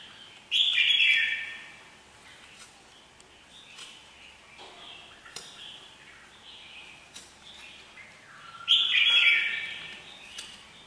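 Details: Red-whiskered bulbul giving two loud, rich warbled phrases separated by about eight seconds of near-quiet with faint clicks and soft distant chirps.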